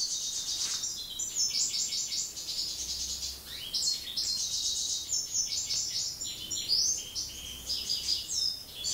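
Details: European goldfinch (Carduelis carduelis) song in breeding season: a fast, liquid stream of high tinkling twitters and buzzy trills running almost without pause, over faint background hiss.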